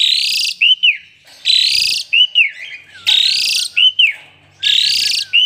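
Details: Asian pied starling singing while it pumps and nods. Four loud, rasping, buzzy bursts, each trailed by a couple of short arched whistles, with quiet gaps between.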